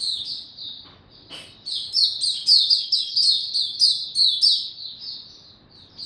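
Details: Oriental white-eye (mata puteh) opening its song slow and easy, 2 May 2022: a brief high chirp, then a run of thin, high, twittering phrases pitched in a narrow band, each note quickly slurred, with faint low background hum.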